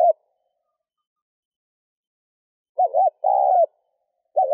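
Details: Sparse spotted dove cooing to rouse a decoy bird: long silence, then a wavering double note followed by a sustained level coo, with fragments at the edges.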